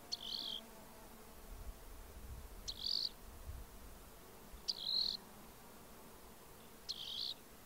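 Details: Rock wren song: a short buzzy, trilled phrase near the top of the range, repeated about every two seconds, four times, over a faint low hum.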